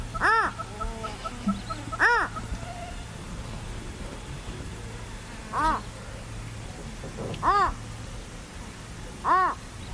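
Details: Five harsh, nasal, overtone-rich squawks from a purple roller in Kruger National Park, given irregularly every two to three and a half seconds, above faint background ticking and low hum.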